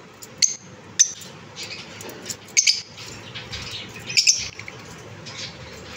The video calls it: most beautiful voice of lovebirds|| relaxing voice of chirruping